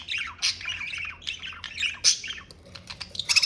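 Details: Budgies kept as pets chatter in quick descending chirps and raspy squawks, loud bursts alternating with softer twitters.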